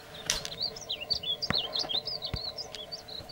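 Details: Singing male painted bunting delivering a continuous high, tinkling warble of quick up-and-down slurred notes, broken by several sharp clicks or knocks over a faint low hum.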